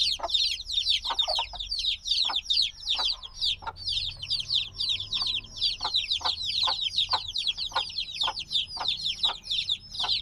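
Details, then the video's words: Cute black chicks a few days old, still needing warmth from the mother, keep up a loud chorus of high falling peeps, many voices at once, with intermittent lower taps and a brief low hum. "Baby Chicks Sounds - Baby Chicken Chirping Noises"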